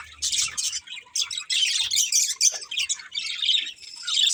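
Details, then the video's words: Budgerigars in a breeding pair chirp in choppy bursts of high, buzzy twittering, each lasting about half a second, with faint low hum at times. "Beautiful Budgies Chirping Sounds"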